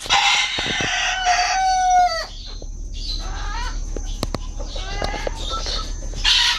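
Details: Imported Brahma bantam chickens at an aviary in Malaysia; a strained crow with stacked tones falling near two seconds, followed by softer clucks, sharp clicks and another crow starting at the end.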